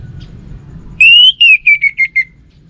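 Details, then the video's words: Orange-headed thrush, a kept songbird from northern Bali, gives a loud clear whistle held near one pitch, then four or five shorter whistled notes that step slowly downward, all over quiet low room hum. "Sekali Dengar Burung ANIS MERAH Lansung Nyaut Gacor Tanpa Henti"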